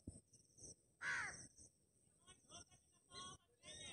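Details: A black francolin lure call, said to make every francolin call back: a loud, harsh, grating call, then shorter scratchy notes about once a second, over a steady high insect hiss.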